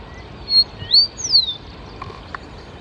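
A grassland yellow finch gives three quick, thin, high whistled notes, one level, one rising and one sweeping down, over a faint background hiss.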